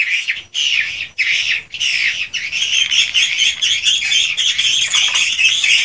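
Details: Swiftlets recorded in their own swiftlet house, raw unedited audio: dense, high buzzy twittering from many birds, opening with short separated bursts, then merging into a continuous churring chatter.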